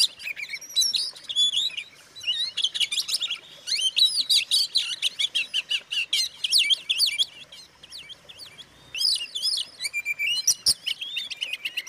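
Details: Oriental magpie-robin singing, used to provoke other magpie-robins into agitation; a dense, rapid stream of varied high whistles, slurred upward and downward notes and sharp chattering phrases with only brief pauses.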